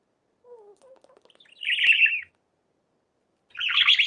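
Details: Sparrow calling: faint low whistled notes and soft ticks, then two harsh, noisy chirps, each about half a second long, separated by a pause of over a second.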